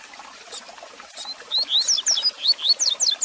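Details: Double-collared seedeater singing, a song played to stimulate and train a caged male: faint opening notes, then a quick series of clear upslurred whistles and high sharp slurred notes in two tight clusters.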